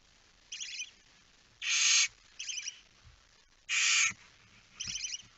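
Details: Barn owl chick alone at its nest on 9 September 2019 at 20:09, giving long harsh broadband hisses that alternate with shorter, quieter chittering bursts, five sounds in about five seconds.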